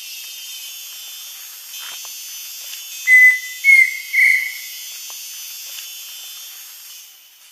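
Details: Rare, secretive pheasant cuckoo in forest-edge undergrowth on Pipeline Road near Gamboa, Panama. It sings a pure whistled phrase of two short notes and a longer tremulous third note, set against constant high insect buzzing.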